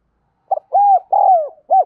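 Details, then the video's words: Spotted dove cooing, a recording used for training wild-caught and decoy birds; a brief opening note leads into two drawn-out mellow coos and a clipped last note. "Tiếng chim cu gáy dùng luyện giọng chim bổi và mồi chuẩn nhất"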